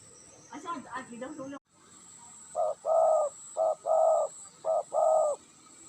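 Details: Tame spotted dove giving soft, low coos in three paired phrases, each a brief note then a longer rounded one, spaced about a second apart, after a short stretch of human voice.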